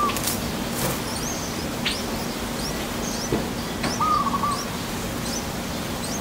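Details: Yellow-vented bulbul (Pycnonotus goiavier) nestlings, a few days old, in a nest in Thailand give faint, thin, high peeps in short scattered bursts, with one brief lower warbled note, over steady background hiss.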